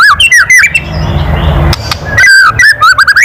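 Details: White-rumped shama giving a loud kretekan call used to provoke other birds: bright whistled notes swooping up and down in quick bursts, broken by a second or so of low rumbling noise.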